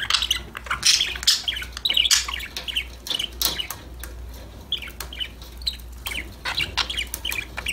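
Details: A group of pet budgerigars playing and chirping together: clusters of quick high tweets and warbled notes, louder at the start, broken by sharp clicks and quieter chatter later, over a low background hum.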